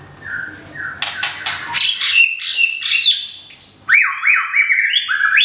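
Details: Moulting white-rumped shama, a kept bird from Thung Song in Thailand, recently moved to a new home. It opens with rasping, chattering notes, then switches to a run of quick, looping whistles that rise and fall.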